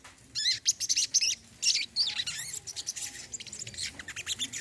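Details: Brown-throated sunbird in a therapy recording meant to restart a silent bird: rapid, high twittering phrases of thin chirps and short slurred notes, quickening into dense chatter.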